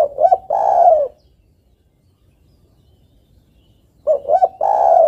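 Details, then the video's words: Calling female spotted dove seeking a male, the kind of call used as a lure for trapping: short coos leading into a prolonged mellow coo at the start, silence, then the same phrase again four seconds later. "TEKUKUR BETINA MEMANGGIL JANTAN"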